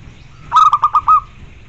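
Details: Zebra dove song meant to get other zebra doves to answer: a quick run of five clipped mid-pitched notes ending in a slightly longer note, over low background rumble.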